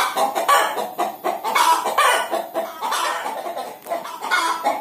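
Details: Hen about to lay an egg keeps up steady, grating clucks. Each rough note lasts about a fraction of a second, with swells of louder calling in between.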